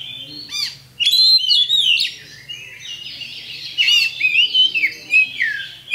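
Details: Champion Oriental magpie-robin bait song for provoking fights: a few scratchy chips, then vigorous phrases of bright whistles and warbles, a pause, and another lively burst ending in rising notes.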